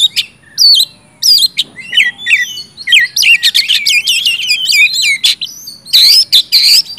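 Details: Loud oriental magpie-robin song meant to prompt reluctant birds into singing: high whistled slurs and bright chirps with harsh scratchy bursts, phrases crowding together in the middle and ending in a dense noisy flourish.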